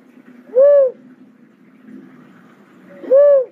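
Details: Pair of soft, low-pitched coos from a cuckoo-dove, each swelling and dropping, separated by about two and a half seconds of quiet hum.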